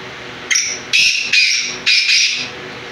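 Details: Black francolin calling: a run of harsh, grating bursts, five loud rasping phrases spaced about half a second apart, bright and scratchy, over a quiet indoor background.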